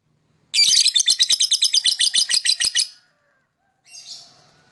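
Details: Lovebird singing to attract other birds: a sustained, rapidly pulsing shrill chatter of about two and a half seconds, followed by a fainter short buzzy note.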